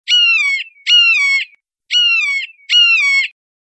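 A hawk gives four nasal, slightly falling calls in two pairs, each about half a second long, against a silent background.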